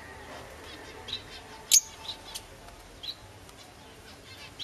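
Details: Green masked lovebirds, a pair living in a home since December 2008, give scattered single piercing high chirps, one much louder in the middle, with faint chatter between them.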